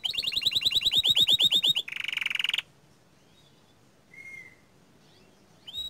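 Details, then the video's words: Young domestic canary in full song: a quick run of evenly repeated high chirps turning into a buzzy rattle, followed by near silence with a lone thin whistle and a brief closing note. "Kicauan Burung Kenari Muda Gacor Standart Kecil MANTAP !"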